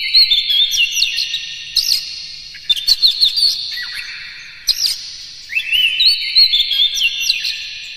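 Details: Morning "konslet" singing of a captive Oriental magpie-robin, meant to make listening birds sing. Loud bursts of quick slurred whistles and sharp notes come in several phrases, each followed by a fading ring.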